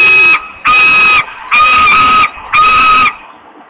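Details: Hungry osprey at Włocławek, Poland, screaming long for food on 8 August 2021 at 13:48: four loud, harsh, level screams, each about half a second, repeated roughly once a second with short gaps.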